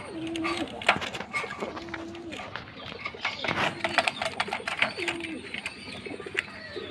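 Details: Jacobin pigeon repeating a low, even coo roughly every two seconds, with frequent sharp clicks, rustling and some human speech in the background.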